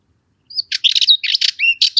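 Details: Short burst of Cyprus Warbler song, a Cyprus-only breeder of dense Mediterranean scrub: fast chattering rattle of harsh, grating notes interspersed with brief whistled slurs, lasting about one and a half seconds.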